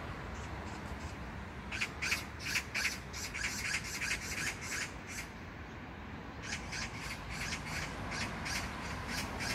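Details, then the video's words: Magpie gives harsh, rasping chatter in quick bursts of several notes, about three per second, over a steady low background rumble; recorded June 19, 2022 at a neighbourhood park in Gyeyang-gu, Incheon, South Korea. "magpie sound(까치소리)"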